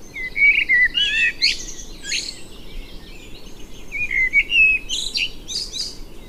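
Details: Common blackbird (Turdus merula) song: rich flutey whistles alternate with squeaky, high-pitched twittering flourishes. The phrases repeat irregularly, roughly three per second at their busiest.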